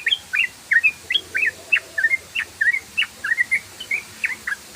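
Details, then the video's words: Rapid 'ropel' song of a yellow-vented bulbul for luring: clear, slurred chirps, each a short up-and-down flick, repeated in a quick steady stream over faint background hum. "TRUCUKAN ROPEL BOOOOOLOOOOO❗❗❗SUARA BURUNG TRUCUKAN BOOOLOOOO❗❗❗"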